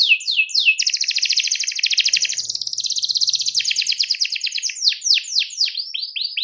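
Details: Canary singing loudly to call a rival: a few falling whistles, then a long rapid rattling trill, then fast descending sweeps repeated about twice a second. No other sounds.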